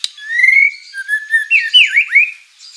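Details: White-rumped shama singing vigorously in a song full of learned filler phrases: a long rising whistle, then several bright slurred whistles that swoop up and down, with a quiet background.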